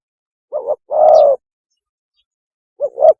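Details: Spotted dove mating call, used as a lure: a brief two-part coo flows into one long, smooth, level coo, and after a pause another short double note follows.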